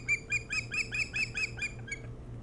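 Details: Osprey calling at the nest, Hog Island near Bremen, Maine, via nest cam, early morning 07-03-2018. About nine loud, clipped whistles follow one another at roughly four per second, fading at the end, with a constant background hum.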